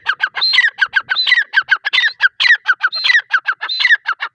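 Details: Continuous harsh, rhythmic calling of a female grey francolin: clipped squeaky notes in tight groups, some sweeping down from high to middle pitch, repeated without pause throughout.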